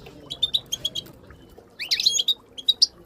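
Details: Female Moroccan goldfinch calls, part of a group of chattering goldfinches used to stimulate silent birds to sing: two bursts of bright, high, tinkling chirps, a quick row of notes followed by a denser cluster, with faint low background hum.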